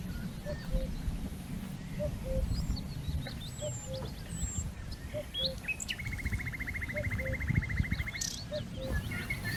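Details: Cuckoo (pepuk) calling in Dersim: a steady series of two-note 'cu-coo' calls, the second note dropping, roughly every one and a half seconds, over low wind rumble, with faint distant chirps and one dry trill.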